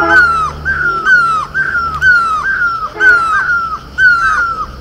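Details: Great or Himalayan barbet, the mewli of Garhwal, calling from horse chestnut blossom in Uttarakhand: a steady run of mournful, down-slurred mews roughly once a second, with softer overlapping notes between them and a low hum beneath.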